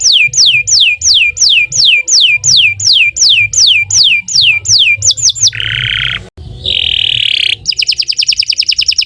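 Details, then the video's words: Canary in long, non-stop singing, played as a lure to get other canaries singing: a run of descending whistled slurs about three per second, then buzzy harsh notes and a fast rattling roll, over a faint low hum. "Kicau Burung Kenari 148 II LUAR BIASA GACOR PANJANG Cocok untuk Masteran"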